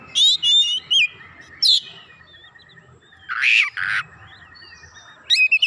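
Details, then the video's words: Kacer answering fiercely while showing off learned fill-in material: a quick series of sharp whistled chirps, a sliding note, then a long loud rasping harsh burst, and finally a bright whistled flourish. "Kacer langsung nyaut ngotot bongkar isian"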